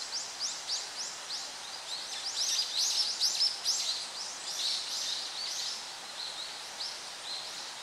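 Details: Blue-and-white flycatcher (Cyanoptila cyanomelana) on 30 June 2014 at a favourite spot, singing high, thin, down-slurred notes repeated rapidly, about two per second, over a steady hiss of background noise.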